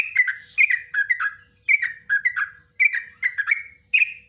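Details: Long song of a yellow-vented bulbul used to train cage birds: short bubbly phrases of two or three descending chirps, repeated roughly every second, with a faint low rumble beneath.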